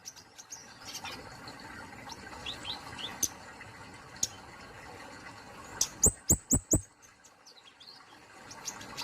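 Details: Indonesian kemade polos songbird: scattered faint high notes and a couple of isolated clicks, then a burst of four loud, sharp descending chirps in quick succession before quieter twittering returns.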